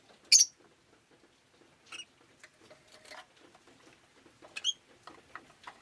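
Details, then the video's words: Pet rosy-faced lovebird on a rainy day giving a sharp high chirp, then scattered softer squeaks and a second bright chirp near the end, over low clatter and faint household or street noise. "Lovebird Chirping Sounds"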